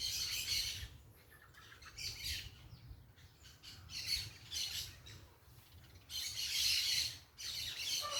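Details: Outdoors, a group of parakeets making noise: irregular clusters of grating, high squawks separated by brief lulls, with the loudest, most crowded burst of screeching toward the end.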